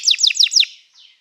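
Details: Canary song used for training: four quick descending whistled notes sweeping down from high pitch, each about a sixth of a second apart, followed by a faint soft buzzy trailing note.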